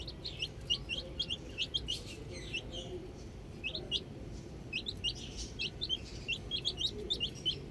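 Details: Baby chicks enjoying the outdoors, a group chirping together in short high peeps, many overlapping, bursting in quick runs with brief pauses, over a steady low background rumble.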